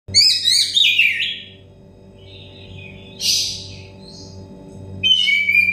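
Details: Oriental magpie-robin song played as therapy for stressed or untrained birds: bursts of rich, varied whistles and rapid warbled notes, falling phrases and buzzy trills separated by short pauses, over a low steady electrical hum.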